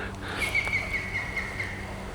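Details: On the Westerheide heath in Goois Natuurreservaat, Netherlands, a European green woodpecker gives its laughing call, a quick run of about eight ringing notes falling slightly in pitch, over a low background rumble.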